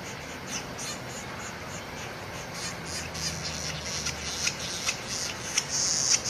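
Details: Northern flicker; begging call; chicks calling their parent for food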